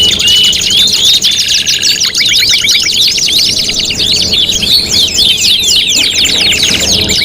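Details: Canary song in a five-in-one competition tutoring mix: a few clear whistles open, followed by a short low rattle and then dense, rapid interlaced trills and zigzag chirps.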